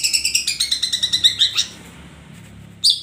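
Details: Long-tailed shrike, or cendet, in ombyokan song: a quick series of high, scratchy, slightly descending notes over about a second and a half, then quiet, ending with one loud harsh note.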